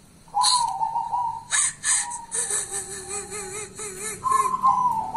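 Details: Local wild-type zebra dove, called kuntilanak, with a sustained whistled coo, then a lower trembling, wavy note held for about two seconds. Another high coo follows near the end, among bursts of hissy clatter.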